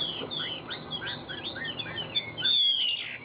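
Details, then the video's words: Chinese hwamei, one of two tame caged birds kept three years, in fighting song: a rapid run of short arched whistled notes, ending with a long high drawn-out whistle. "Họa mi hót đấu"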